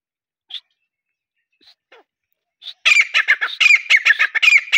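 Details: Grey francolin (Ortygornis pondicerianus) gives a few soft notes, then a loud, harsh, rapid run of ringing high-pitched calls repeated several times a second.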